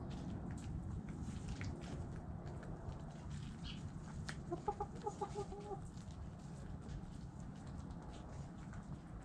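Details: Chickens going about their business, a brief series of stacked harmonic clucks repeated quickly near the middle, with scattered clicks, scratching and a heavy low background rumble throughout.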